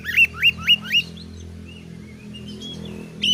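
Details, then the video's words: Oriental magpie-robin in full, active song, used as a tutor recording to test other birds' nerve and make them fighters: four loud rising whistled notes in quick succession, then softer sliding whistles and a final sharp note, over a low steady hum. "MASTERAN KACER GACOR || Kacer gacor tes mental burung lain agar fighter"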